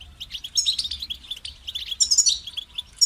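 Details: Continuous, fast goldfinch twittering, high and liquid, with buzzy trills and brighter tinkling flourishes rising in intensity near the end.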